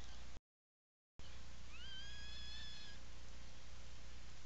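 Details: Burrow recording of an Atlantic puffin at a breeding colony on Seal Island National Wildlife Refuge, Maine, 17 July 2018; after a brief dropout, one upward-sweeping then level whistled call with harmonics, constant low-pitched background hum.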